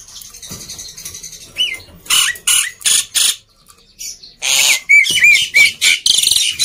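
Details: Harsh chattering bursts from a black-winged myna, broken by a brief silence, with short whistled slurs woven into the second half; used as a lure to get reluctant birds singing.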